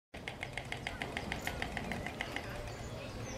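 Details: White stork bill clattering at the nest: a dry, wooden rattle of rapid clacks for about two seconds, then fading, over a low background rumble.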